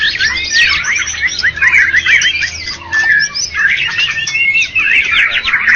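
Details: White-rumped shama, Medan and Java contest champion: bursts of rapid rising and falling whistles and chattering trills, separated by short dips, loud throughout.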